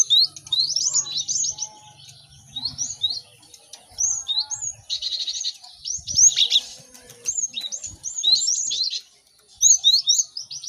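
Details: Cinereous tit singing in a busy training recording for caged birds: repeated groups of high, hooked chirps and slurred whistles, one dense buzzy burst midway, and short gaps between phrases.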